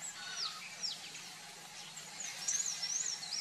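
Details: Sayaca tanager in a backyard giving high, thin, squeaky notes: a few sharp slurred chirps early, then a late burst of wavering twittered phrases, with low constant background noise.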